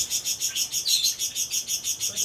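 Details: Two lovebirds, a rosy-faced and a Fischer's lovebird, call to each other with shrill, high chirps in a fast, even stream of about eight notes a second.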